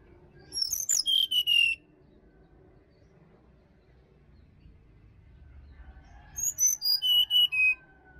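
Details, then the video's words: Sirdadu in wild Bali forest, repeating a phrase of high, sharp whistled notes that step downward. The phrase comes twice, about six seconds apart, with quiet forest background between. "SUARA ASLI HUTAN SRDC BALI"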